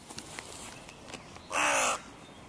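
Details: A single loud, harsh caw from a crow at the contested junction of three breeding pairs' territories beside the music pavilion in König-Albert-Park, with faint background sounds before it.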